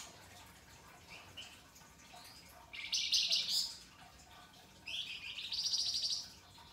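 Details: Pied triller in a masteran song recording, rough and sharp in tone: two harsh, buzzy, rising phrases about two seconds apart over a faint background hiss, with a few soft short notes before them.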